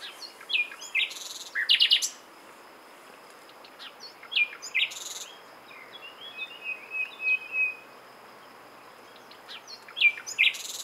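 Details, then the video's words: Common nightingale (Luscinia megarhynchos) singing in varied bursts: sharp rapid clicks and chacks, high whistles and a rattling trill, phrases separated by brief pauses, with a steady insect hum beneath. "Słowik rdzawy (Luscinia megarhynchos) śpiew - Nightingale - Die Nachtigall - Le Rossignol philomèle"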